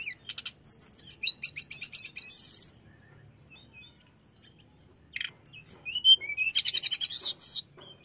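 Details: Flycatcher song intended to make other flycatchers quickly aggressive: a long burst of fast, evenly repeated high trilled notes, a silent gap of about two seconds, then a second burst of varied whistles and rapid trills.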